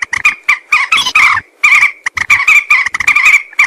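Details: Harsh croaking calls of a common moorhen, used as a hunting lure, coming in rapid irregular clusters with a short pause midway through.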